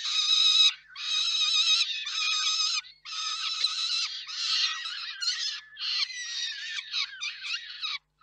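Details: Peregrine falcons calling at their nest in Reda (KOKSIK) on 4 May 2023 as food is brought and handed over. Loud, sustained harsh wails give way to choppy, broken chattering notes near the end.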